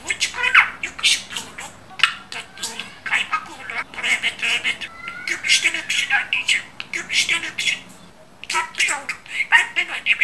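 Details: A pet budgerigar chatters on almost without pause, mimicking speech in rapid, high, raspy syllables, with a brief quiet gap near the end.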